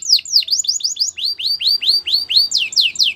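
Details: Belgian canary song made of clear down-slurred whistles repeated in quick succession, roughly four per second, shifting slightly in pitch between tours; the background is quiet.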